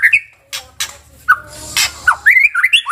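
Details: White-rumped shama song: short whistled upslurs and chattering notes in rapid succession, interspersed with sharp clicking sounds.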